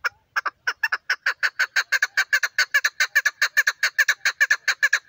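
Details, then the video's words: Female chukar partridge in full voice, a rapid, evenly paced chattering of chuck notes, about seven per second, continuing steadily for five seconds. "female chakor best voice"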